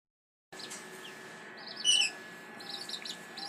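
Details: A courting, incubating pair of red-rumped parrots, with one egg already laid, give soft, high chirps and one brief clear whistle, scattered over a few seconds against steady background hiss.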